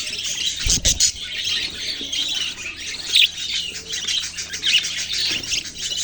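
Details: Baby budgerigars keep up a dense, high chirping chatter with scattered louder squeaks, and a brief low thump near the start.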